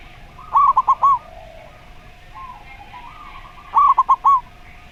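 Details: Zebra dove singing in the slow voice style: two bursts of quick, stuttering, rolling coo notes, one near the start and one after about three seconds, over a steady faint hum and a low background murmur.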